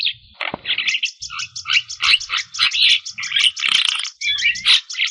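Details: Busy Javan myna chatter, 'gacor full isian', aimed at waking up stressed or lazy mynas; a sharp click opens a dense stream of high, rapid ticking notes mixed with harsh, buzzy bursts.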